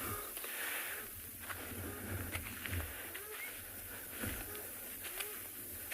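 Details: A pair of shelducks, male and female, give short honking alarm calls several times a second over steady outdoor hiss and low rumbling, on an afternoon safari in a South African game reserve, 19 September 2020.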